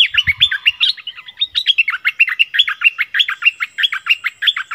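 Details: A decoy Streak-eared bulbul pours out a fast, continuous chatter of short warbled notes, about one and a half per second, lively and unbroken, with a few low knocks at the start.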